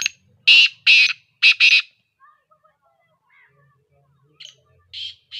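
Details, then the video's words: Harsh, scratchy calls of a partridge (teetar): two single notes and then a quick pair, followed by near silence and fainter answering notes at the end. "TEETAR AWAAZ"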